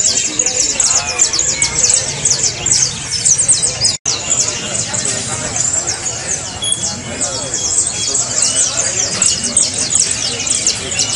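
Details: Saffron finch song for stimulating a caged bird to sing: steady mass of bright, rapid chirps and short slurred notes, briefly cut by a silent gap near the fourth second.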